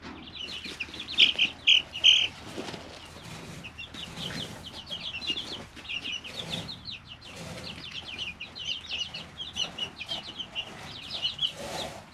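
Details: Three-week-old chicks in a brooder, a flock peeping constantly in short high chirps, louder bursts near the start, over soft scratching and rustling clicks from the litter.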